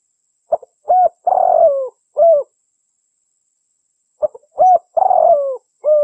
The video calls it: Dove sound